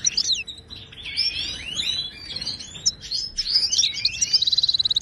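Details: Wild Moroccan goldfinch, Wadani-style song for teaching captive goldfinches: varied high sweeping twitters and chirps run together, closing with a rapid metallic trill of many evenly spaced notes.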